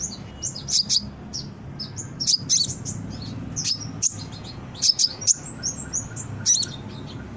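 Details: Brown-throated sunbird song used for luring and training birds; sparse sharp high chirps and thin squeaky notes spaced irregularly over low background noise.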